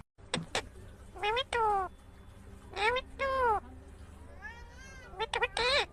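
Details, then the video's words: Talking green ringneck parakeet producing a string of speech-like words, sharp clicks followed by arching harmonic syllables and a wobbling, warbled phrase, then a rapid burst of short notes near the end, with steady low background hum. "Natural Sound of Talking Ringneck green parrot"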